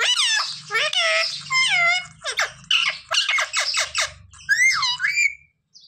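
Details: Talking pet parrot taught to say "Sita Ram" and "Jai Shri Ram", shown for Ram Navami: dense, scratchy, warbled syllables in quick bursts, with a faint low hum underneath and a closing rising whistle.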